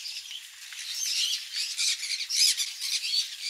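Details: Captive conures at a parrot farm in Daegu, Korea, eating mealworm egg food, give harsh, raspy, high, grating squawks and chatter in uneven bursts, nearly two a second.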